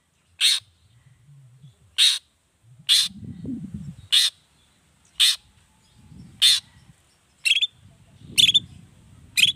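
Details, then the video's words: Long-tailed shrike (cendet) repeating short harsh rasps, nine in under ten seconds, some ending in a brief whistled tone; low rumbling noise fills the gaps between calls. "Suara Cendet Gacor Pagi Siang Sore Biangnya Bikin Cendet Manapun Nyaut Emosi Ikutan Bunyi"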